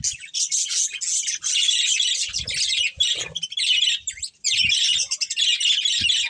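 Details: Steady twittering chatter from a breeding pair of budgerigars, harsh and high, broken by a short gap near the end before resuming.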